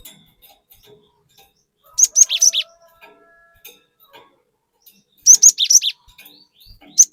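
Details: Chatty cinereous tit on a lure recording. Two bold bursts of fast whistled chirps, each about half a second long, with a faint hum and soft clicks between them.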